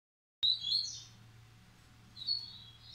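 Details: Double-collared seedeater, a captive breeding male from a Brazilian breeder, compared in Massai and Bahian song styles; opens with a sharp high whistled note and a short warble, quiet pause, then a thin high phrase near the end.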